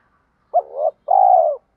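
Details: Spotted dove, 'thổ' voice style, used to get captive birds cooing all day. A rising-then-gliding wavering note is followed by a sustained, finely pulsed coo that drops slightly at its end.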